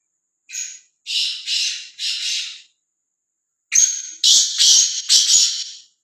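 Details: A free, fearless black francolin calling loudly: harsh, grating, rasping notes in two phrases of about four notes each, the second phrase louder, separated by a pause of about a second.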